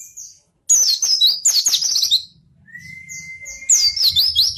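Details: White-eye in vigorous song, meant to coax lazy pleci birds into singing. A loud burst of quick, buzzy high twittering, then a long rising-then-level whistle over a low hum, and another shrill trilled burst.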